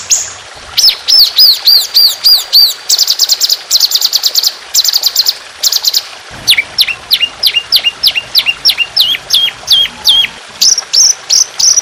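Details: Training song of the trotolan, an Indonesian songbird, in fierce, long, rough continuous style: a fast series of high falling whistles, buzzy chattering bursts, then repeated downslurred notes and trills.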